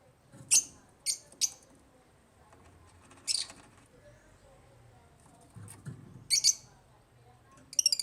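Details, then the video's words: Aviary-kept African lovebirds utter scattered bursts of sharp, high-pitched chirps, three in quick succession, then a pause and further shrill clusters, with faint low background noise. "AFRICAN LOVEBIRDS CHIRPING SOUNDS"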